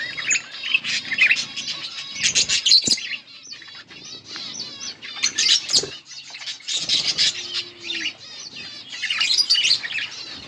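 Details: Pair of yellow budgies chirping in three lively bursts of high warbling chatter and squeaky tweets, separated by quieter pauses with a faint low whistle and small clicks.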